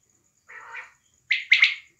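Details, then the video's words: Female quail in Pakistan gives a soft, raspy note, then three loud, harsh rasping bursts in quick succession; no other sounds. "batair ki awaz || quail sound"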